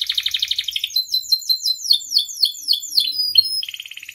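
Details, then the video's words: Canary singing busily, used as a master recording to prompt other canaries; a rapid pulsing trill leads into swooping descending notes and ends on a tight buzzy trill. "MASTERAN DAN PANCINGAN KENARI GACOR FULL ISIAN"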